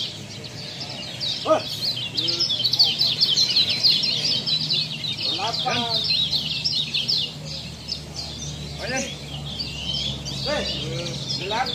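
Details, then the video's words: Kecial from Lombok singing on a training recording for cage birds, a dense, fast stream of high thin chirps and twitters, broken by occasional short lower notes over faint hum. "masteran kecial lombok"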